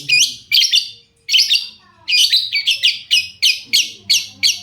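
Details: Shrike song meant to make other shrikes respond: loud harsh chattering phrases in bursts, then a rapid series of repeated scratchy notes.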